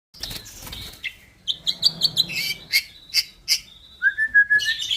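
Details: White-rumped shama, a fifth-generation cross between Bordanias and Balak Sabang lines, singing a varied phrase: a rough noisy opening, then a burst of sharp high chips in quick succession, a few ringing notes and a long clear whistle near the end.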